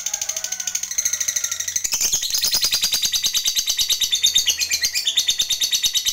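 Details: Lovebird of the fighter type giving a long 'ngekek' chatter used to provoke other lovebirds into answering: rapid, harsh, high-pitched pulsed trilling, about three pulses per second, getting louder and denser after the first two seconds.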